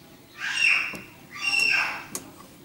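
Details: Common starling, Sturnus vulgaris, North Africa: two loud, rasping, whistled phrases, each lasting about half a second and separated by a short gap, with a brief click between them and a sharper click at the end.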